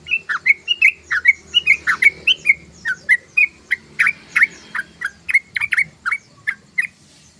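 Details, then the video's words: Sooty-headed bulbul (trucukan) ngeriwik chatter: loud, clear chirps alternating rising and falling notes, delivered in a quick, steady series of about twenty-five calls with soft low background noise. "SUARA BURUNG TRUCUKAN❗❗❗TRUCUKAN NGOCEH❗❗❗TRUCUKAN NGERIWIK❗❗❗"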